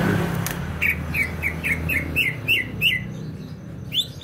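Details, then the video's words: [3, 'Greater green leafbird, Banyuwangi, East Java, singing actively: a regular string of short whistled notes dipping downward, roughly three per second, over a steady low rumble.'] "CUCAK IJO BANYUWANGI GACOR"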